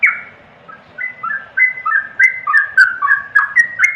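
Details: After a brief quiet start, a yellow-vented bulbul breaks into bubbling whistled song. The short falling notes chain together faster and louder toward the end.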